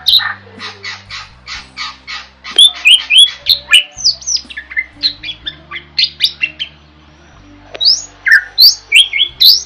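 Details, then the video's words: Actively singing starling (jalak), recorded as tutor material for songbirds, opens with a steady series of about nine harsh rasping notes, then breaks into a jumble of whistled slurs, clicks and chatter. "Suara Burung JALAK GACOR"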